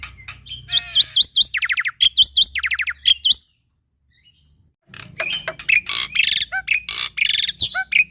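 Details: Male Black-winged Starling (jalak putih) in full, rich song, used as a tutor recording for young starlings: bursts of loud whistles and rapid harsh chatter, a brief pause near the middle, then dense varied chirping resumes.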